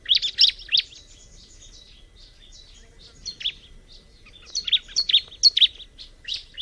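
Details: Bar-winged prinia song in two bouts of quick, high chirping notes, a short burst at the start and a longer run of sharp, repeated chirps near the end, with a quieter stretch between.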